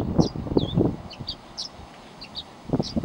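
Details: Yard-nesting tree swallow on a hummingbird feeder hanger a few feet away; quick high chirps and a curved downslurred whistle repeated through the clip, with low thuds and rumbling at the start and end.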